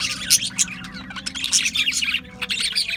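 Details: Australian budgies chirping busily, a rapid run of bright, high tweets and scratchy notes with sharper squeaks rising above the chatter.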